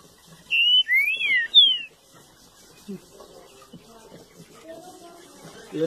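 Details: Green-winged saltator of a color mutation, known locally as pixarro or estêvão, delivers three bright whistled notes in quick succession, rising then falling, followed by quieter low voices and faint room sounds.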